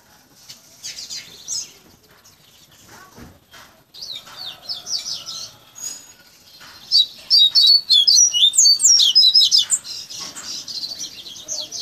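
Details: Hand-trained Double-collared Seedeater, known locally as coleiro, singing a fluted baiano-style song learned over months of tutoring; scattered soft notes and clicks give way to a loud, fast sequence of bright whistles repeated several times a second.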